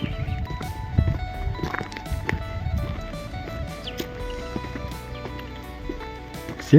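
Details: Background music with steady tones plays under low speech and some rustling, with a brief loud burst at the very end; no clear animal call.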